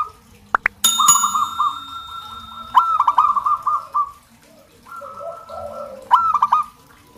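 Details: Local zebra dove giving long bursts of rapid, rattling cooed notes. A steady high tone sounds early on, and a few soft lower coos follow before another stuttering phrase.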